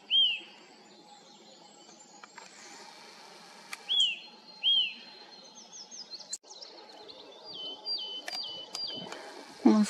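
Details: Eurasian Nuthatch singing in spring on a 7 May morning, a voice the observer had never heard before: loud rising-then-falling whistled notes at about 4, 4.5 and 4.8 seconds, followed by higher thin notes and other small birds chirping.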